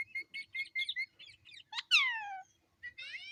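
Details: Pet parrot speaking a repeated word indoors, a run of short chirpy syllables followed by a loud squawking downward sweep and a brief rasping rising phrase, in a quiet room.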